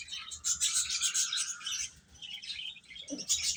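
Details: Young baby chicks eating peep in a dense, overlapping chorus of high, thin chirps, several each second, with a soft low pecking sound briefly near the end.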